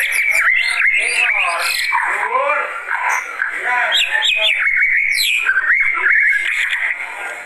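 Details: White-rumped shama in a worked-up, agitated state, from lure and master recordings: rich, rapid song of varied whistled phrases, slurred upward and downward sweeps and sharp chirps running almost without pause over several seconds.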